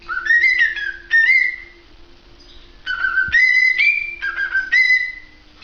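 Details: Cockatiel whistling a repeated tune of low notes that jump to higher held whistles, given as two phrases with a pause between them.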